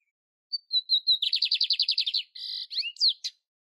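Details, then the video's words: Wild lined seedeater singing: brief high whistles, a quick rattling trill of roughly twelve notes, then a flat buzz and sharp rising and falling slurred notes ending the phrase; no other sounds. "BIGODINHO PARDO CANTANDO NA NATUREZA"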